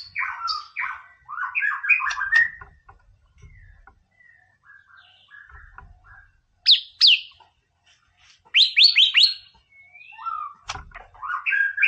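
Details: White-rumped shama singing, a training recording used to rouse a rival's aggression: varied bursts of sweet whistles and quick chattering notes, some rising sharply, separated by short pauses, with faint low thumps.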